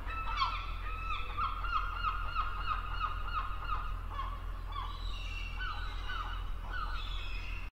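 Herring gulls give loud, nasal, laughing calls in quick overlapping series, several birds calling at once over a low background rumble.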